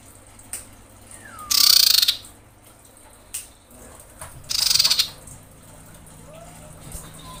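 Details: Common iora female in breeding condition calling for a male: a soft descending whistle, then two harsh rattling bursts about three seconds apart, with scattered clicks between.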